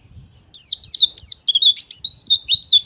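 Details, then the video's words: A white-eye (pleci) gives a fast, harsh "ngeriwik" chattering of high, slurred notes that swoop downward, run together in rapid bursts for over two seconds. "PLECI NGERIWIK KASAR"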